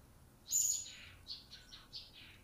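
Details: Blue-crowned hanging parrot, a newly acquired caged bird starting to sing, gives a loud piercing high whistle followed by a few quick, softer squeaky chirps.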